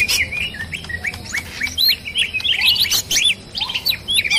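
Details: Greater green leafbird lure recording: a noisy, busy chatter of overlapping high chirps, whistled slurs and squeaky notes, several birds calling at once with barely a pause.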